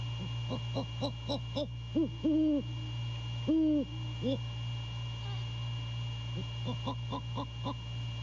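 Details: Male great horned owl on a late-night visit at 1:24 AM, January 6, 2022, picked up by a nest cam near Savannah, Skidaway: a quick run of short low hoots, then longer level hoots and more short notes over steady electrical hum.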